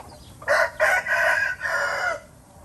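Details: Red junglefowl in Laos giving a loud crow of about two seconds, broken into four harsh, ringing segments: two short opening bursts, then a longer drawn-out phrase and a fading final note, over quiet background.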